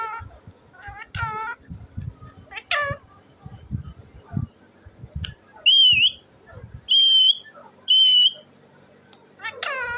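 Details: Parrot vocalizing, said to be talking: short harsh harmonic squawks early on, then three loud clear whistled notes about a second apart, each with a wavering bend, ending in a falling squawk, over low background thumps.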